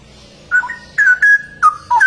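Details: Straw-headed bulbul (cucak rowo) sings loud, clear whistled notes, sliding drops and short rising flicks in a brief rhythmic phrase.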